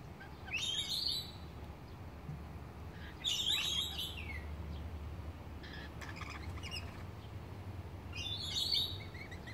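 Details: Lorikeets in a Jamaican cherry tree give bursts of harsh, screechy chattering, three loud outbursts about three and five seconds apart, with fainter chatter between over a low background rumble.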